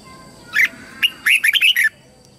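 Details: Lure red-whiskered bulbul singing to call wild bulbuls in to fight: a rising note, a short chip, then a rapid run of four or five warbled, up-and-down phrases, over a steady electronic hum.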